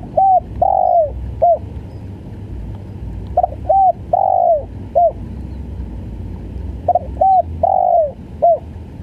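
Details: Tekukur, the spotted dove, repeating its stuttering coo phrase three times: a double stutter note, a short coo, a long descending coo and a clipped final note, phrases roughly every three and a half seconds.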